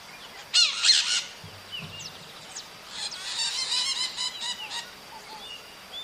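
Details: Maritaca parrot singing: a loud burst of harsh screeches, then softer chattering squawks in quick irregular runs, with faint thin chirps behind.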